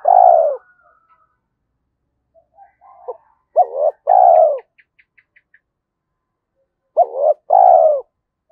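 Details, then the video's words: Spotted dove of the 'giọng thổ' song style, a voice described as suited to the forest for luring: three low two-part coos, each a short rising note then a longer hollow note, with a few faint high ticks between phrases. "cu gáy giọng thổ Thúc Đấu giọng hợp rừng khi đi gài"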